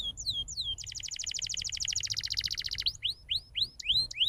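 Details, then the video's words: Tutor canary song for young birds: a few downslurred whistles lead into a two-second fast even trill, followed by slower, louder upward-sweeping whistled notes about twice per second. "MASTERAN EFEKTIF BURUNG KENARI CEPAT BUNYI NGOCEH GACOR DENGAN SUARA KENARI GACOR INI"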